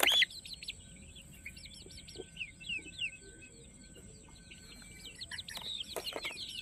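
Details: After a brief loud burst, Peruvidai chicks on a chicken farm peep steadily in the background, soft overlapping falling chirps from many birds, a few knocks near the end and a constant high whine.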